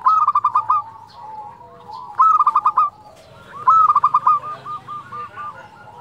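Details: Local zebra dove singing steadily in a fluting voice, offered as a lure and tutor for quiet doves; three phrases, each a bright rapid burst of pulsed coos followed by softer rolling notes, about two seconds apart.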